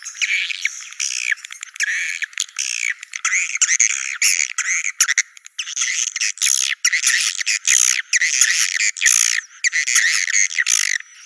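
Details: Swiftlet lure sound used to draw swiftlets to come to nest sites: dense, continuous high twittering chirps with buzzy harmonic notes, bursts packed closely with brief gaps, no other sounds.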